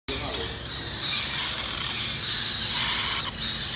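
A black-capped lory gives harsh, shrill screeches, high and rasping, running almost continuously with brief peaks of louder squealing.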